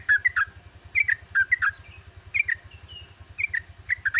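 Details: Yellow-vented bulbul at dawn, caged songbird performing long, fluid song: paired bubbly whistled notes repeated in short bursts with brief gaps, over a steady low engine-like hum.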